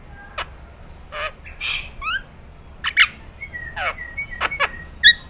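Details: Nias hill myna tutor recording: an uneven mix of short squawks, sliding whistles and sharp chips, spaced irregularly over a quiet background.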